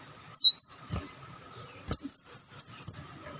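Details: Olive-backed sunbird calls played as a lure to attract birds: two loud, high whistled phrases, each with a sharp dipping hook and then a long held whistle, the second followed by short bursts, with a faint low hum.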